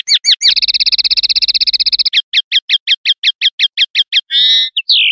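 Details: Common linnet performing 'pardillo limpio' clean song for silvestrismo, 2025/2026 recording: a few quick notes, then a buzzy high trill, a regular series of crisp chips, a nasal two-tone phrase and a final sliding whistle.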